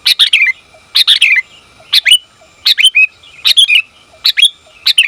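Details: A female sooty-headed bulbul calls to a male, giving quick chirpy bursts of a sharp note and a slurred, falling twitter roughly once a second, clear and close against a quiet background.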